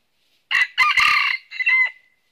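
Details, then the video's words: Red junglefowl in northern Vietnam, a red-eared decoy used in trapping, crowing once: a loud harsh crow in three parts, a short opening note, a long strained middle and a clipped ending, with silence around it. "Bẫy Gà Rừng Miền Bắc Mồi Tai Đỏ Đụng Bổi Gáy Cà Lắm"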